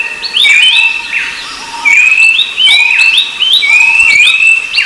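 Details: High, clear whistles from a rufous-browed babbler: short rising slides ending in sustained level notes, repeated several times with overlapping layers.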